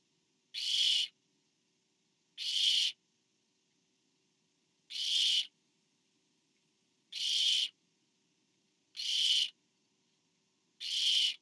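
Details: At a barn owl nest camera, a parent brings food to owlet number four, 24 September 2015. Six short, rasping hiss-screeches come at uneven intervals of roughly two seconds, with nothing else audible.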